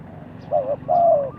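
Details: Low mellow cooing of a spotted dove kept as a lure for trapping wild doves: a brief double-humped coo followed by a drawn-out, slightly falling one, over steady background hiss.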